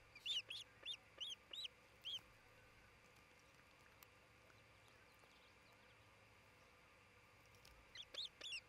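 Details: Repeated high, sharp whistled chirps from an osprey of a nesting pair at their new nest in Charlo, Montana, filmed on a camera on 27 June 2018. Five quick notes open the recording, then a pause and another short series near the end.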